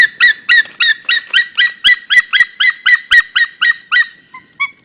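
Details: White-tailed eagles mating in Estonia on 27 February 2013; a loud rapid series of about fifteen yelping, harmonic notes, roughly three each second, fading into a few softer trailing notes, with little background noise.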